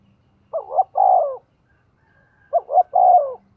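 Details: Decoy spotted dove cooing at a fast pace to lure wild birds: two phrases, each two short rising notes followed by a longer, falling, mellow coo, about two seconds apart, in an otherwise quiet setting.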